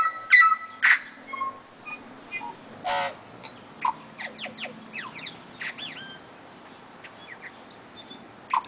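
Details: Tui, one of a resident pair in an Auckland back yard: a lively run of loud clear whistles, sharp clicks and twangy downward-slurred notes, delivered at a fast uneven pace.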